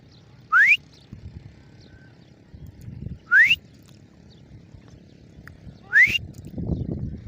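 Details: Grey francolin calling with sharply rising whistled notes, three in a row spaced roughly two and a half to three seconds apart, with soft thuds and a burst of low noise at the end.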